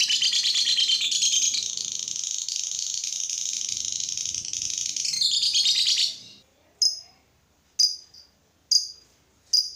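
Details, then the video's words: A lovebird singing to spur other lovebirds to sing: about six seconds of continuous rapid buzzy chattering, then a pause followed by four short sharp high chirps spaced about a second apart. "Suara burung lovebird ini ampuh bikin lovebird lain ikut gacor."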